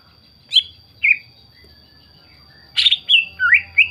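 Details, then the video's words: Greater green leafbird song from a lure recording intended to draw singing from other leafbirds; two separate loud whistled notes, a pause, then a rush of varied slurred whistles rising and falling. "PANCINGAN CUCAK IJO GACOR, CUCAK IJO LAIN MESTI NYAUT DAN IKUTAN GACOR"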